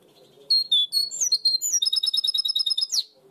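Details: European goldfinch hybrid singing in the 'primaveras' or blue tit (herrerillo) style prized in Barcelona: a quiet start, then bright high whistled notes and slurs, ending in a fast run of repeated sharp chips before a final rising flourish.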